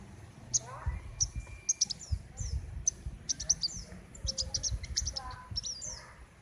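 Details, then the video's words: Sunbird, known locally as king konin, singing loudly and continuously with a loud, sharp voice: a rapid series of high, thin chirps and short sliding notes in quick bursts, with low background rumble. "Burung "KING KONIN" Trotol Gacor Ngerol Mantap !!!"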